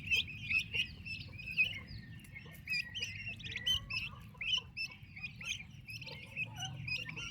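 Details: Turkey chicks cared for by their mother, repeated shrill peeps and short chirps from several young birds, uneven in rhythm, with a low steady background drone.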